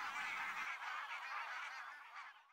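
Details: A flock of barnacle geese on spring migration around mid-May in North Karelia, Finland, gives a dense, unbroken chorus of short, yapping honks; a faint low rumble sits under the first half second.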